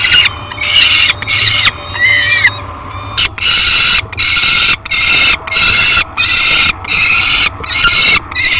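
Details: At a peregrine falcon nest during feeding time, captured by a live cam on 15 July 2021 with a little yellow bird as prey: rasping, strident calls in quick repeated bursts, each under a second, separated by short gaps, steady low hum beneath.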